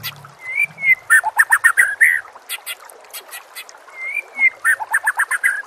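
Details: White-rumped shama recorded as training song for other shamas, with nature sounds and trickling water: a smooth whistle followed by quick choppy chattering phrases, repeated twice.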